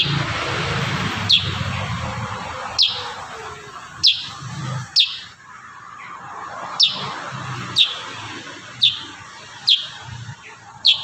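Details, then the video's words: Kurincang singing actively, clear sharp high notes sliding downward, spaced about one to one and a half seconds apart in 'tembakan rapat' style, with broad low background noise. "Masteran burung kurincang tembakan rapat"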